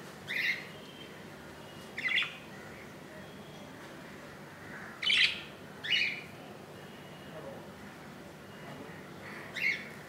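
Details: Budgerigar chick, hatched 15 July 2018, calling from the nest on its second day: soft, high chirps spaced about every one to three seconds over faint background hiss.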